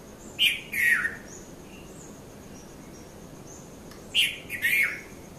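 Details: Two phrases from a red-vented bulbul at Mount Lavinia, Sri Lanka, just after 5:30 a.m.: each a quick note plus a falling warble, separated by about three seconds of quiet with faint distant chirps.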